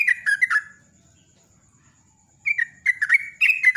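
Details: Sooty-headed bulbul singing the rapid "ropel" chattering style, used to prompt other birds to sing: a short burst of falling whistled notes, a two-second pause, then a faster run of bright bubbling phrases.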